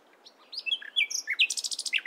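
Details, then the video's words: Nightingale singing in the morning: a quick, varied phrase of sharp chirps and short whistled slurs, ending in a fast, even run of about a dozen repeated high notes, with a quiet background. "Nightingale Singing In The Morning"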